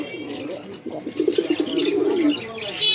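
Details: A pigeon gives one drawn-out, throaty rolling coo lasting about a second, low and slightly wavering, with faint higher chirping and background murmur around it.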